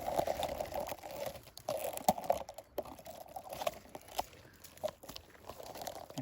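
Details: Crunching, rustling and tapping noises over a steady low hum, with no animal voice audible.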